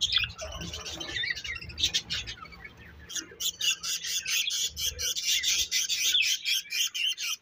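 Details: Budgerigars calling, warbled twitter at first, then rapid clicking chirps repeated about four times a second in a steady pulsing series, with low thuds beneath.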